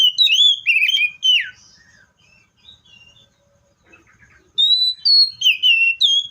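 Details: Seychelles magpie-robin song. Rich fluty whistles, slurred up and down, come in a quick phrase. A near-silent pause with faint soft notes follows, then another bright run of clear whistled notes.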